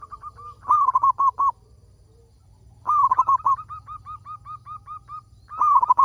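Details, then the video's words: Local zebra dove song used to prompt other doves: loud rapid rolling coos mixed with lighter repeated notes, a short quiet gap, then more rolling bursts and evenly spaced short coos. "Perkutut Lokal Gacor Suara Paling Ampuh Untuk Pancingan Burung Perkutut Agar Bunyi"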